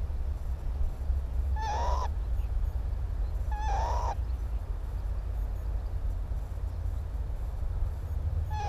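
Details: Northern lapwing on the Timiryazev field, May 2017: two clear rising, wheezy calls about two seconds apart, a third starting at the end, above constant low-pitched background rumble.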